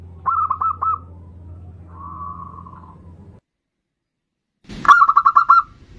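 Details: Lure song of a zebra dove in bodronoyo style: a brief run of quick cooing notes, a soft blurred trill, silence, then a loud rapid burst of mellow notes, with a low hum beneath.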